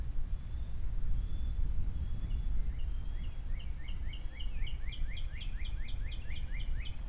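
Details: An osprey at its Captiva nest with three chicks in February 2022 starts with faint drawn-out whistles, then builds into a fast series of sharp falling chirps, with a persistent low rumble underneath.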